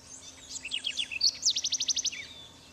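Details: A house wren recorded in Trinidad in 2005 gives a bubbly jumble of high, scratchy notes, then a quick run of about nine bright, falling notes, with faint background hiss.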